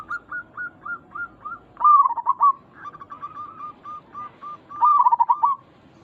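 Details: Zebra dove of local stock calling to make other zebra doves respond: five evenly spaced whistled notes, a loud rolling coo, a string of short clipped notes, then another loud warbled, trilling coo.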